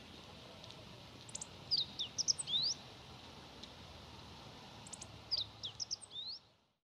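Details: A Meadow Bunting sings in early spring on a cloudy, slightly chilly 25 February 2018. Two quick, high phrases of varied chips, trills and sweeping notes come a few seconds apart, over a soft, steady outdoor hiss.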